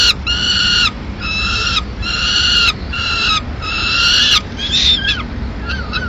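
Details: Peregrine falcon at a nest in Madrid in mid-morning as the female arrives with pigeon remains: long harsh harmonic wails, each about half a second, repeated in a steady series with short gaps.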